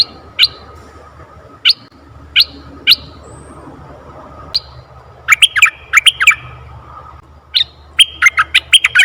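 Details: Red-eyed bulbul sound for luring: a few isolated sharp chirps spaced about a second apart, then dense bursts of bubbly, warbling notes.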